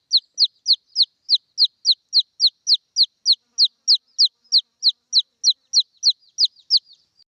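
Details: Continuous high descending peeps from a red junglefowl chick calling its mother, about twenty-four notes in seven seconds, regular and loud, nothing else audible.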